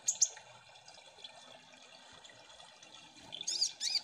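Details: {'text': 'Kolibri ninja sunbird recorded as a lure so birds will sing. A couple of sharp, very high chirps open the clip. A quieter stretch of hiss follows, then a dense burst of high twittering notes near the end.'}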